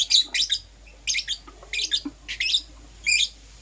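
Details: Lovebirds of Euwing Green Opaline and Lutino colouring chirping in the morning: short groups of two or three shrill, raspy chirps, spaced about every second, over a low hum.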